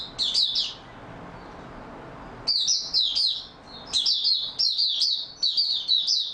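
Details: Oriental white-eye kept as a cage bird, singing in stable form on 28 February 2022; bright, high-pitched chattering bursts of quick warbled notes, a pause of nearly two seconds, then several closely spaced phrases.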